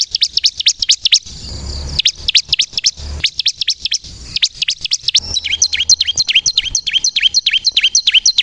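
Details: Bar-winged prinia, kristal variety, in energetic song meant as a lure to make other prinias sing; brisk high chirps in bursts with brief gaps, ending in a denser series of falling notes.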